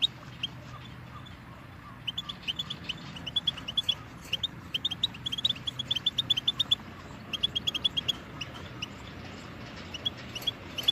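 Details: Goldfinch singing on a tape for teaching chicks and songbirds: soft, rapid twitters and chirps in runs, partly blurred by a steady hissing background.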